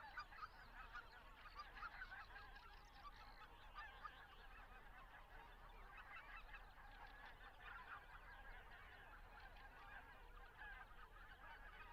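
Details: A migrating flock of greater white-fronted geese calling in flight over Estonia on the way north to Arctic breeding areas; continuous overlapping high yelps and honks from many birds, with a low background rumble throughout.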